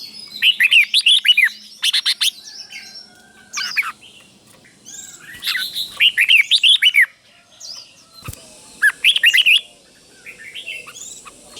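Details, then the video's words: Doubled, clearly paired phrasing from a red-whiskered bulbul used as a teacher for caged birds: lively bursts of rolling whistled notes, each phrase repeated after a short pause, with faint background chirps between. "เสียงนกกรงหัวจุก | สุดยอดนกครู เบิ้ลชัดๆ เบิ้ลเป็นคู่ๆ เสียงกระตุ้นนกรงหัวจุกเสียงนกครู chao mao"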